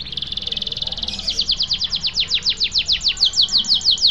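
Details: Canary singing in a rolling style, meant to coax quiet birds back into song: a rapid high trill that slows into evenly spaced bright chirping notes, about five per second, over faint background hiss.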